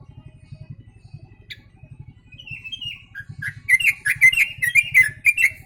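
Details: Yellow-vented bulbul song containing sooty-headed bulbul imitations, starting with quiet rising whistles over a steady low hum, then breaking into a loud series of quick chirping notes about twice a second.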